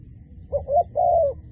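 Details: Decoy dove kept for trapping, calling often: a short two-note coo, the mellow low notes rising slightly then falling, over a faint low rumble.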